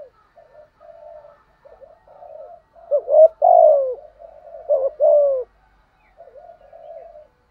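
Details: Vietnamese decoy spotted dove in gù and thúc calling to stir wild birds: quiet murmured cooing builds to two loud phrases, a short note then a deep downward-gliding coo, before soft cooing returns.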